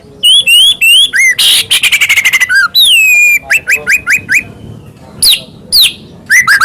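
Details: White-rumped shama song used as a masteran to get other shamas singing: loud, fast run of clear whistled notes with upslurs and downslurs, harsh buzzy bursts mid-phrase, then rapid repeated rising whistles.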